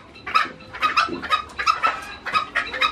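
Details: An old man's fierce, frequently calling green junglefowl gives a series of clipped, bright notes, roughly two per second, fairly clean with faint background murmur.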